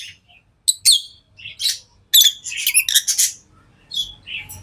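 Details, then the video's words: Pet lovebirds make scattered high squeaks and a short burst of scratchy chatter, with soft thumping noise in the room toward the end. "Love birds Sounds | lovebirds chirping sounds| parrot beautiful sounds"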